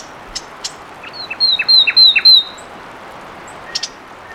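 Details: Fulvous wren singing a short phrase of five clear, ringing notes, each sliding downward, preceded and followed by faint, scattered high clicking ticks.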